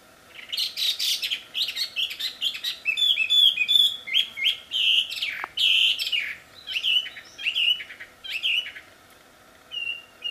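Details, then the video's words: Wild wambi pouring out a loud, melodious song: rapid chirps, trills and bright whistled slurs in close succession for about eight seconds, then a pause and a few soft whistles. "Suara merdu burung wambi di alam liar ternyata sangat merdu dan keras"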